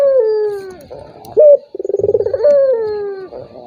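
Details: Turtle dove call used as a lure to provoke a reluctant rival into calling: a long descending coo, a short sharp high note, then a rapid pulsed purring trill sliding into another falling drawn-out coo.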